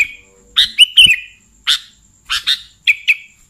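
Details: Sooty-headed bulbul call, used to lure bulbuls for catching: a bright chirp run sliding into a warbled slur, followed by single and paired sharp chirps with short pauses.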